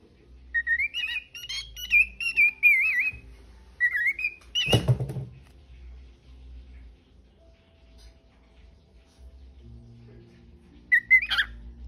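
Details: Pet parrot at home singing and talking: a wavering, whistled warble in two phrases, a loud rustling knock midway, then quiet, and a brief final squeaky note near the end.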